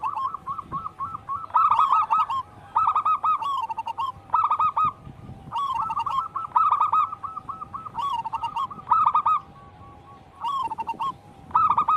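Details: Wild local zebra dove song, kept as a daily training lure for caged doves: bursts of rapid, rolling cooing notes with quick trills, repeated phrase after phrase, with brief pauses between bursts.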